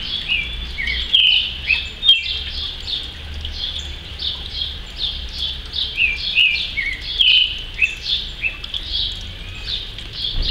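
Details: A Creamy-bellied thrush (Turdus amaurochalinus) sings on a rainy October morning, as if celebrating the rain: short warbled and chirped phrases, high and busy, about one a second, over a soft low rumble of rain.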